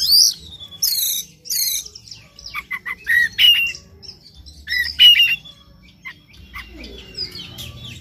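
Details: Oriental magpie-robin morning lure song, meant to make a bird sing persistently and show its full repertoire; fast stacked chattering bursts, then varied whistles and clipped notes, repeated in quick runs.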